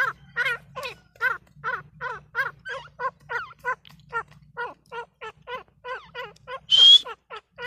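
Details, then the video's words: Female grey francolin giving quieter, evenly spaced chevron-shaped notes, about three each second, over roughly seven seconds. One brief, sharp, high squeak cuts in near the end, over a faint low hum. "gray francolin teetar sound || female teetar sound"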